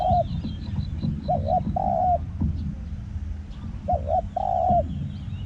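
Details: Spotted dove being used to lure wild doves, with a small voice and a ringing 'hong khu' call through the forest. Each phrase is two short coos and then a long drawn coo. The phrase is heard twice, over low outdoor rumble and faint high insects.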